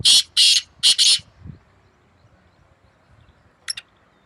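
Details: Black francolin counter-calling with a second bird on 2 May 2024: four rasping, harsh notes in quick succession open the clip, then near silence with faint low rustle and a brief thin squeak late on.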